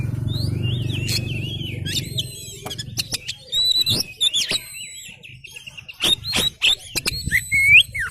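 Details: Oriental magpie-robin in full song, tail spread: varied whistles, short trills and sharp chips, with fluttering and knocking noises and low hum early on.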